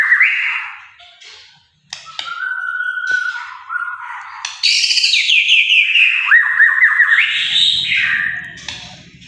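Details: White-rumped shama song of varied whistled phrases, some steady and some sliding, mid to high pitched. Loud rising and falling warbled notes fill the second half, with a short pause near the start.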